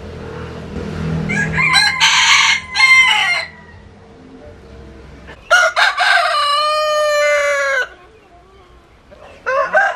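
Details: Roosters crowing in turn: a harsh crow around two to three seconds, then a long, clear, drawn-out crow that holds its pitch for over two seconds, and the start of a third crow at the end, with murmuring in between.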